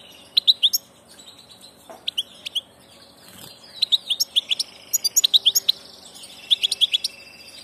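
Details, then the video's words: European goldfinch on migration passage, singing lively runs of sharp, tinkling high notes in dense bursts, with a softer muffled thump partway through. "Jilguero del paso"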